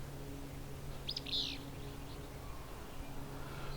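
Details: Willow flycatcher in Ontario gives its "whip-view" song, a sharp high note followed by a buzzy burst, over a low steady hum. The song distinguishes it from the near-identical alder flycatcher.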